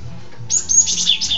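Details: A cinereous tit singing well, filmed from below, bursts into a brief, high, scratchy chattering phrase with thin whistled notes after half a second of quiet, over a faint low hum.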